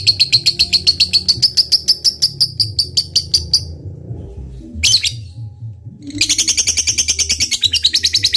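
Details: Lovebird, a caged fighter bird used to provoke rivals into responding, giving long rapid chattering trills of sharp repeated notes, about eight per second, pausing briefly with a short burst before resuming; low hum underneath.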